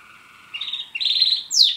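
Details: Male Border canary, a household pet, sings a soft low whistle that steps up into a rolling trill and ends in a bright, steep downward sweep.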